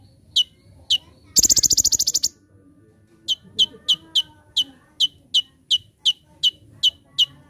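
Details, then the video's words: Olive-backed sunbird (konin) in full energetic song for a training master: high metallic chips, then a dense, fast, buzzy trill burst (tembakan) lasting about a second, followed by a quickening run of sharp chips. "Masteran Handal ‼️ Konin Gacor Full Tembakan"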